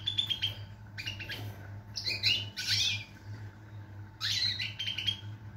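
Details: European goldfinch singing, 22 September 2023: scratchy tinkling twitters and short buzzy bursts with brief pauses, against a persistent low mechanical hum.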